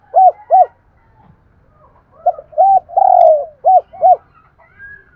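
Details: Lure spotted dove in its daily calling, urging and cooing: paired mellow arched coos, a longer drawn-out coo in the middle, then another pair, with faint rustling between notes.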